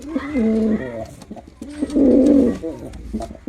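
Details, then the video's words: A male pigeon in performance: two low, droning coos, the first short and steady, the second louder and fuller, separated by faint clicks and shuffling. "Male Pigeon Super Performance || Male Pigeon Sound"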